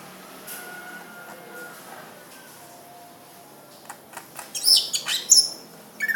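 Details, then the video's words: Greater green leafbird, or cucak ijo, quiet at first with faint whistles, then a late burst of sharp, very high chirps and squeaky notes. "Cucak Ijo Nilam betty kicau"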